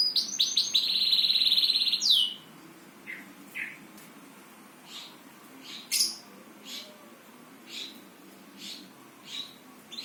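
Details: Singing bird opens with a fast, high rattling trill lasting about two seconds, then gives scattered short sharp chips roughly every half second over a quiet background.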